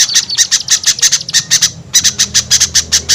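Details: Small-bird lure recording meant to bring shy birds down: harsh, high squeaky notes in rapid runs, a brief pause near the middle, then the chattering resumes at a steady quick pace.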